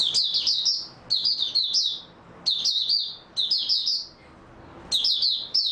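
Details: Mata Puteh, the oriental white-eye, delivering high, sweet, tumbling twitters in short clustered phrases, five bursts separated by brief silences, with little background sound.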